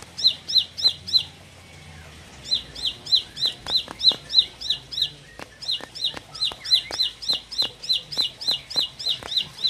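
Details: Bar-winged prinia, four months old and called increasingly fighter-like, gives rapid high chirps at a steady pace, roughly three each second. A short pause comes near the start, then the chirping resumes with light tapping noises behind it.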